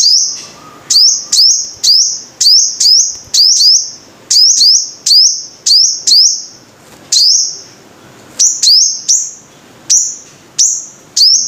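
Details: High, sharp sunbird notes from a five-coloured sunbird, each flicking upward into a bright held whistle, delivered in an even run of roughly twenty notes with a short pause midway; a brief faint low hum near the start.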